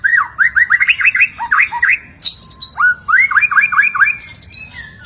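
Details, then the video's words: White-rumped shama song of quick bouncing whistled phrases, repeated rising notes in rapid bursts, with occasional sharp high squeaky notes between them. "MURAI BATU MACET, STRES Langsung NGRESPON dan Nyaut Denger KICAUAN INI"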